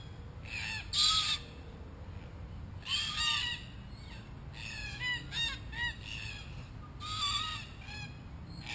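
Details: Several wild red-tailed black cockatoos in Australia gather around a hidden camera and call repeatedly. Rough, grating, harmonic screeches come in irregular bursts, some overlapping, over nearly nine seconds.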